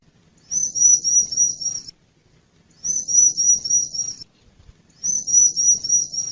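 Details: Lure recording of a wild Bar-winged prinia, meant to draw in wild birds: three high, thin trills of rapidly repeated notes, each roughly 1.5 seconds long, with about a second of silence between.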